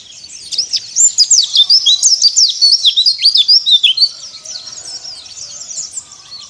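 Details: Ngalas song of a white-eye, played to provoke rivals: high, tumbling twittering with quick down-swept and rising chirps, building to a dense run in the middle, then fading to softer twitters, with a faint low background hum.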